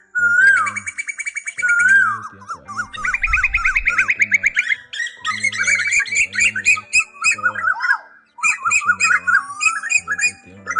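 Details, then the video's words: Asian koel male and female calling to each other, used as a flock-calling lure: loud rising whistled swoops, then rapid bubbling repeated notes and squawky chatter, over a steady low harmonic backing. "Tiếng Chim Tu Hú Gọi Đàn Bản Víp Mới Nhất 2026 Tiếng Ra 2 Vế Trống Mái"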